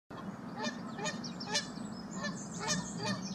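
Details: Geese met along a walking trail, a group calling loudly; spaced harmonic honks recur about every half second over a steady low rumble.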